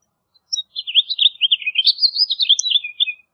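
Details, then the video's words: Continuous bright warble from a house finch: a tumbling chain of short chirped notes that rises slightly midway, then settles into lower slurred notes at the close. "House Finch Song! House Finch Call! House Finch Sound! House Finch Singing! House Finch Calling!"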